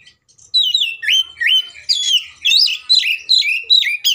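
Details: An Oriental magpie-robin in agitated fighting song, meant to provoke rivals: after a brief silence, a steady string of loud, swooping whistles, each dipping and rising, coming several per second.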